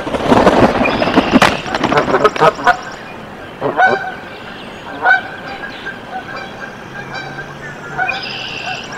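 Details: At a Canada goose nest in Decorah, Iowa, USA, on 14 April 2024, with goslings hatching: loud rustling and knocking noise first, then repeated short piping notes and harsh honks, with a high trilling bird at the end.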